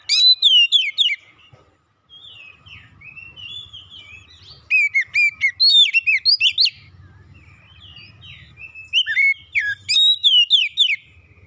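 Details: White-rumped shama (kacer), described as stressed, singing three loud bursts of rapid varied whistles and trills, separated by quieter stretches with low rumbling background noise.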